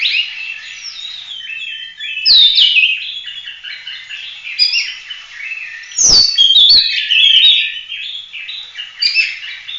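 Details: Kacer, the Oriental magpie-robin, in continuous gacor full-roll tembak song meant as masteran tutoring for other birds: rapid varied whistles, trills and buzzy notes, with loud sweeping phrases near two and six seconds and scattered clicks.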